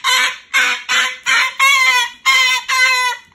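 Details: Moluccan cockatoo kept as a pet, protesting at bedtime because it does not want to go into its cage; harsh, loud, harmonic squawks repeated in seven bursts of roughly a third of a second each.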